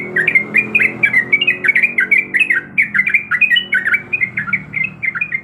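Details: Female yellow-vented bulbul in breeding condition calling the male: a fast, continuous run of short chirpy, slurred notes, some rising and some dropping, tumbling over one another for several seconds.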